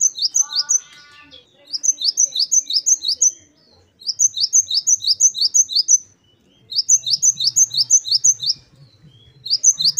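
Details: Great tit, known locally as gelatik batu, singing a wucit-wucit style phrase used as a tutor recording: bursts of sharp rising whistled notes about three per second, phrases separated by short pauses.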